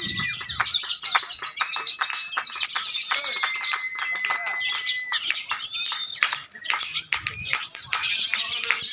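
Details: Lovebird singing contest with an intense, buzzy, high chatter running without pause. Sustained whistles and a noisy crowd can be heard alongside.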